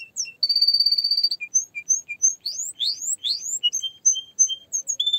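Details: Varied canary song: a buzzy rattling trill, short chirps, loud rising swept whistles, then rapid twittering notes and a final steady tone.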